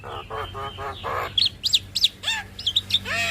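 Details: Captive-training recording of a Javan myna: nasal buzzy phrases followed by quick sharp chirps and downslurred whistled notes, steady faint hum beneath.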